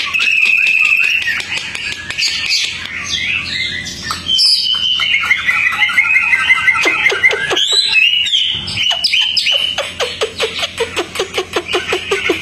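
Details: Tame Hwamei singing outdoors: long, varied song of loud whistles and warbled phrases, turning into a fast series of sharp repeated clicking notes toward the end.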